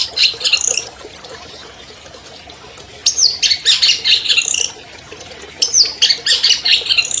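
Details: Albino long-tailed shrike kept as a champion songbird, its song played to coax silent shrikes: bursts of harsh, scratchy, varied chattering separated by quiet gaps of about two seconds.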